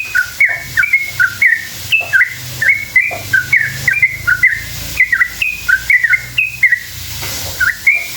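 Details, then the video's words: Long, lively sooty-headed bulbul song meant to draw other bulbuls into replying: crisp whistled notes flicking up and down in quick succession, with brief pauses between bursts and a faint low hum behind. "Trucukan gacor ropel panjang buat PANCINGAN trucuk agar bunyi jadikan burung trucuk NYAUT EMOSI"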